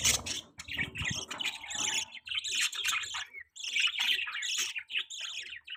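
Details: Baby budgerigar kept as a pet, chirping: dense high twittering chatter in quick bursts, with a lower rustling, scraping noise early on.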